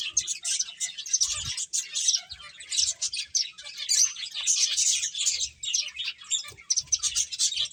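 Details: Several finches chirping while playing, a dense, continuous chatter of short, high, bright chirps overlapping without pause, with a few soft low thumps underneath.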